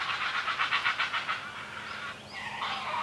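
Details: Great blue heron young begging while the parent feeds them: a quick string of harsh clacking pulses for over a second, then rougher drawn-out squawks trailing off.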